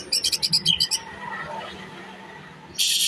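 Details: Greater green leafbird singing in the rough shooting song style called tembakan besetan kasar: a rapid burst of about seven bright, high chopped notes, a pause, then a dense high rasping phrase at the end.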